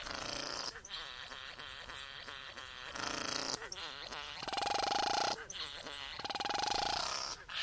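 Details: Satin bowerbird male courting a female at the bower, giving a dense mechanical whirring and buzzing display with rapid rhythmic clicks, two sustained droning tones and harsh rasping bursts throughout.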